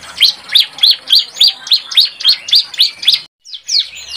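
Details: Young bar-winged prinia learning its song, used as a lure; bright, sharp chirps at high pitch repeat rapidly, about three or four each second, in a steady run before a brief gap and a few more notes.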